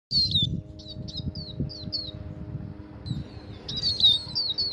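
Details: A caged serin-type finch (called turnjan/na'ar, possibly Russian stock) sings, as song to stimulate a female to mate, a quick run of high, thin chirps and short down-slurred notes, pausing briefly mid-phrase, over a steady low hum.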